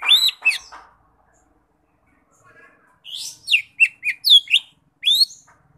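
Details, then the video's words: A lesser green leafbird, locally cucak ijo mini, opens with two sharp downward-sweeping whistles, falls briefly quiet, then delivers a rapid string of high rising and falling whistled notes. "Suara Khas Burung Cucak Ijo Mini Gacor"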